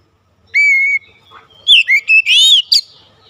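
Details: White-rumped shama, lure recording: a long steady high whistle, then a quick run of sharp slurred and rising notes ending in a rich warble.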